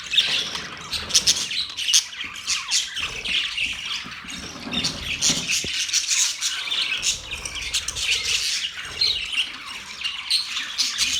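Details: Continuous budgie chirping with harsh squawks and twittering warbles running without a break, the loudness swelling and easing repeatedly.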